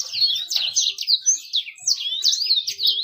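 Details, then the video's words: Bird singing to attract females: rapid, high, twittering phrases of sweeping and trilled notes, densely packed with brief gaps, with faint low thumps in the background. "PANCINGAN BURUNG CEPAT GACOR DAN MENARIK BETINA"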